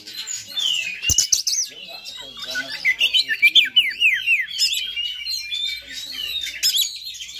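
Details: Oriental magpie-robin giving a high fighter song to trigger emotion in other magpie-robins; a sharp click, then a run of quick descending slurred notes, scratchy buzzes and thin whistles in a packed, energetic sequence.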